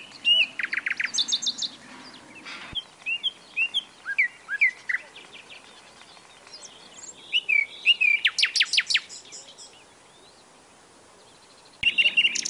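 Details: Nightingale in full song: rapid rattling bursts, varied whistled slurs and trills, then a pause of near silence before a new phrase starts.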